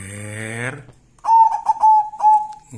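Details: Local wild zebra dove giving a cooing song: a quick run of short bright notes that settles into a long, even, sustained coo. A man's sung voice is heard just before, then quiet.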